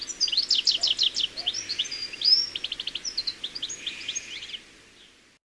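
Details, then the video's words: European goldfinch singing a lively, high-pitched tinkling song: quick chirps, a fast buzzy trill in the middle, then more twittering notes that fade out into silence. "The Goldfinch - Bird Song"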